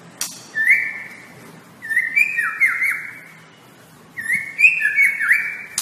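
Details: White-rumped shama master recording for training. Clear whistled phrases with sliding, dipping notes come in three groups a second or two apart, each a short cascade of mellow tones.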